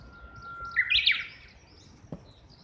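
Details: Japanese bush warbler recorded from a second-floor window, apparently answering a nearby companion or mate: a low steady whistle lasting most of a second, then a bright rapid warbled phrase, followed by a brief knock and quiet background.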